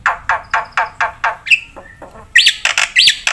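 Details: Brief bit of Black-winged myna 'gacor full isian' song: six harsh rasping notes about every quarter second, a thin whistle, then loud rising squawky phrases.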